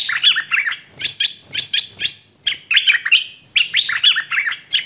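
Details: Hwamei delivering a clean, continuous song with no background noise: fast sequences of bright, slurred whistles and trills, repeated phrases tumbling one after another with only brief breaks.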